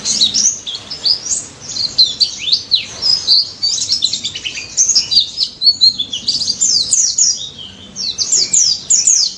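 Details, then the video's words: White-eye (pleci daput) singing in prolific ngalas style, meant as a lure to get silent white-eyes to answer: dense, rapid high-pitched twittering of sharp descending notes in quick bursts, almost continuous through the recording. "NGALAS MAUT‼️ BURUNG PLECI DAPUT GACOR NGALAS NEMBAK || PANCINGAN PLECI BISU DI JAMIN NYAUT"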